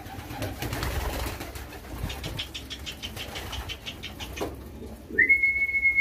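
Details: Young homing pigeons being hand-fed and trained to respond to a whistle. Rapid wheezy pulsed calls repeat several times a second for about four seconds. A long, steady human whistle starts near the end.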